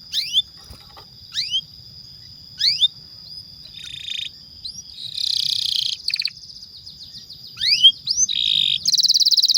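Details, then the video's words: Vigorously singing pet canary, a long lure song used to coax young or silent canaries into singing; sharp upward-swept whistled notes spaced about a second apart, then buzzy rattling bursts and rapid chirps, with a faint steady high tone behind. "PANCINGAN Kenari GACOR PANJANG INI Cocok untuk Masteran KENARI PAUD dan Kenari Macet BUNYI"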